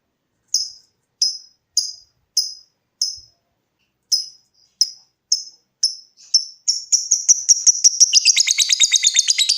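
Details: Evenly spaced sharp lovebird ticks, roughly two per second, accelerate over several seconds into a loud rapid rattling trill, ticking (ngetik) then trilling (ngekek).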